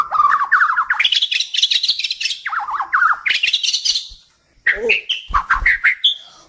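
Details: White-rumped shama of the Kalimantan (Borneo) type, a song for training pet birds: fast zigzag warbled phrases jumping between low and high pitches, harsh buzzy rattles, then after a pause short whistled notes and a final clear tone.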